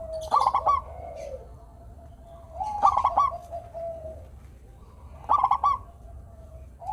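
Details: Local zebra dove singing to prompt reluctant doves to sing: three bright, quavering coo bursts about two and a half seconds apart, linked by soft, level cooing notes.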